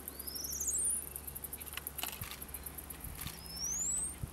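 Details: A Gray-winged Inca-Finch, a Peruvian endemic, in the middle Marañón valley of northern Peru gives two thin, high, upslurred whistles about three seconds apart, over a low rumbling background with a few soft clicks.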